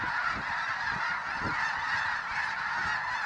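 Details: Snow geese, a flock of more than 20,000 at a refuge, suddenly startled from grazing into low flight; a steady wall of overlapping nasal honks with soft thumps of wings below.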